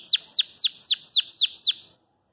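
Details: A Belgian canary, reacting to the phone while being filmed, gives eight quick, high, downslurred whistled notes, about four per second, over two seconds, then stops; the owner is unsure whether it is challenging a rival or courting a female.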